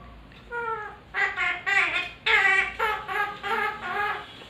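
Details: Pet talking parrot mimicking the Hindi film song "Tujhko Na Dekhu To", giving drawn-out, tonal sung syllables with rich harmonics in a rising and falling melody, indoors.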